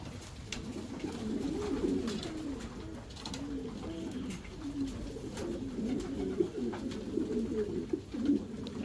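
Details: Several Racing Homer domestic pigeons cooing in their breeding section, overlapping low gurgling phrases running continuously, with occasional clicks and taps.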